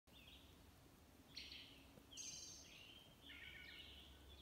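Wood thrush singing several short, flute-like phrases, some ending in a thin, high, buzzy trill, over a steady low hum.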